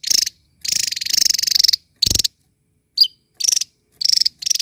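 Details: A small bird sings loudly while dancing, producing long buzzy rattling phrases, a brief silence, a sharp chirp, then shorter pulsed rattles.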